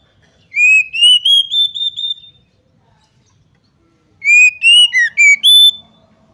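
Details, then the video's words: Female Oriental magpie-robin calling, used as a lure to make males quickly agitated, aggressive and spread their tails: two bursts of clear, rising whistled notes, each run climbing then holding a high pure tone, separated by silence. "PANCINGAN AGAR KACER CEPAT EMOSI, GACR DAN BKA EKOR || KACER BETINA"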